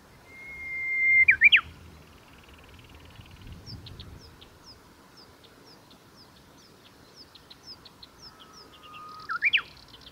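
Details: Japanese bush warbler singing at the Kita-Fuji training area, Japan, on 23 July 2021: two songs about eight seconds apart, each a long steady whistle ending in a quick, loud, rising-and-falling flourish, with another bird's rapid high chips in between.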